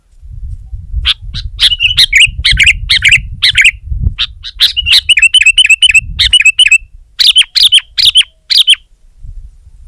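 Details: Sooty-headed bulbul (kutilang) singing to dominate a rival: quick chirps lead into loud liquid descending phrases, then a fast rippling run of warbled notes, ending in separate clipped calls; faint low rumble behind.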